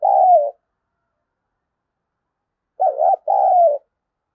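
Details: Spotted dove calling to draw in wild doves: a falling coo ends one phrase, then after a silence a full two-note phrase, a wavering short note and a longer sliding one.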